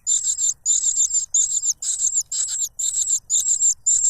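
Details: Cuckoo chick noisily grabbing food from its foster father, who silences it with a butterfly; longer, harsh, high buzzy squeals in rough pairs, repeated steadily about twice a second.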